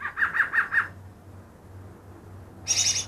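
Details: Greater green leafbird said to mimic ten other bird species, caught two days earlier; five mid-pitched rhythmic notes, a pause, then a high buzzy rattling trill begins, over a low hum.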